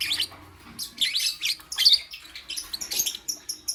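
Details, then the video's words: Lovebirds in the morning, a dense burst of high, sharp chirps and shrill squeaky notes overlapping in quick irregular bursts, several birds calling at once with little pause between them. "Lovebirds Chirping Sounds"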